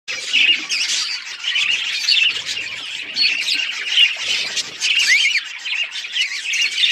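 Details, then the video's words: Finch chicks being fed, begging with a continuous, dense chorus of high, hissing, raspy squeaks and chirps that swells and dips, with a few sharper squawks throughout. "Finch feeding chicks"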